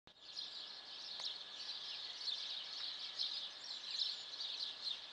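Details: Many birds singing in a city on an April morning, 14 April around 7:15, a dense continuous chorus of high chirps and twitters layered together without pause, with one sharp click near the start.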